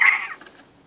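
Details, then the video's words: Male quail kept in captivity, normally very quiet, lets out a single loud, harsh crow note that starts high and drops away within under a second. "Krähender Wachtel-Hahn / Crowing Quail-Rooster / Caille Coq chanter"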